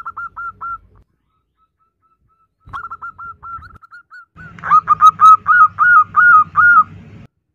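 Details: Female zebra dove calling for the male: soft short whistled notes in scattered groups, then a loud, fast, evenly repeated run of coos over a low droning hum.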